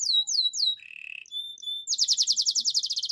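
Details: Canary in training song: swept whistled notes, a short buzzy roll, thin sustained whistles, then a fast, even rolling trill.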